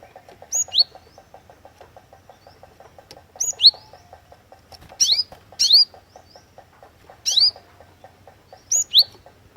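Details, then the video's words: Cinereous tit (glatik watu) singing for luring: high, sharp paired notes that slur down then up, recurring every one and a half to two seconds above a soft, regular ticking pulse. "KICAUAN GLATIK WATU PIKAT GACOR"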